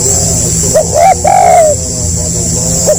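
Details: A single phrase from a spotted dove in stuttering 'gagap rapat' style: two short halting coos, then one longer smooth descending coo, followed by quiet with a faint steady high whine.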